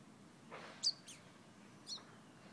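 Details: Fire red bird from Guyana whistling: three brief, sharp, high notes, the first two close together and slurring downward, the third isolated about a second later, over quiet background hiss with a soft rustle before the first note.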